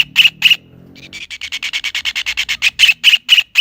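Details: Kingfisher, called tengkek udang or cekakak in the local language, giving two loud harsh notes, a short gap, then a quick run of rasping notes rising in volume and closing with slower, louder calls.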